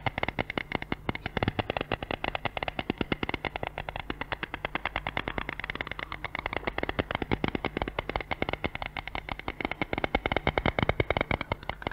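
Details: Dense, rapid crackling clicks like distortion or static fill the whole stretch, with a low steady hum and no clear animal voice.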